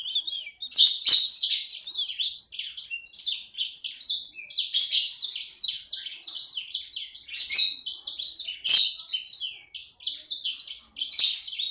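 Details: Energetic (gacor) small sanger bird owned by the recorder. Nearly twelve seconds of continuous, rapid, high-pitched warbling of chirps, trills and sharp accents, with only a momentary break near the ten-second point.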